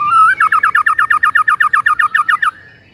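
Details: White-rumped shama singing vigorously in the morning, masteran style: a rising whistle leads into a fast even trill of about fifteen repeated looping notes, then fades out.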